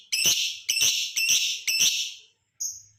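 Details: Lovebird ngekek panjang, long chattering meant to provoke other lovebirds to sing: four loud rasping chatter bursts in quick succession, each about half a second, then a short high squeak.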